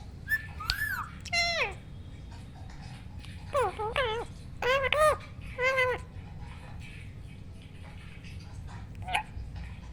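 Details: Pet rose-ringed parakeet kept indoors, calling in a varied series: rising and falling whistled notes, quick wavering chirps and short nasal squawks, with steady low room hum behind.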